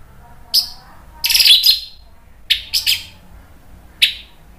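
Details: Orange-headed thrush in loud, open 'ngeplong' song used as a lure so other birds answer: short sharp high bursts, a scratchy cluster near the middle and a clear note near the end, separated by quiet gaps.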